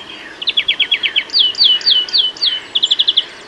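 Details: Greenfinch from a UK garden singing a rapid trill of repeated notes that shifts into louder downward-swept notes, then ends in another quick trill.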